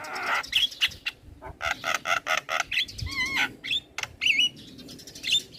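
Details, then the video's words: Young male black-winged myna singing as a tutor bird and to calm stressed mynas: harsh squawks and chattering notes mixed with bright whistled warbles and a wavering whistle, delivered in rapid uneven bursts. "Jalak Kebo Jantan Muda Gacor PAs Buat Masteran dan terapi Burung Jalak Stres"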